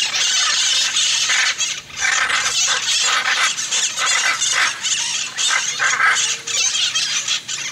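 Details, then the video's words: Hyacinth macaws keep up a long series of harsh, rasping screeches in uneven bursts, with brief dips between calls. "Hyacinth Macaws"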